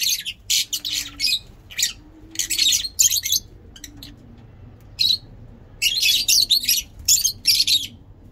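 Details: Lovebirds of several mutations, among them Green Fischer, from an active breeding line give bursts of shrill, harsh chattering chirps in clustered runs, with soft low coos heard beneath in the quiet gaps.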